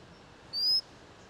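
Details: A White-capped redstart near Nainital, Uttarakhand, India, gives one thin, high whistle lasting about a third of a second and rising slightly in pitch, over a faint background hiss.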